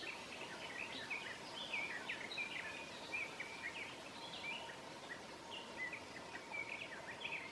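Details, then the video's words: Garden warbler singing at midsummer in Southern Savonia, Finland: a long, fast, even stream of mellow warbled notes with no breaks, over a faint steady hum and background hiss. "Garden Warbler sings"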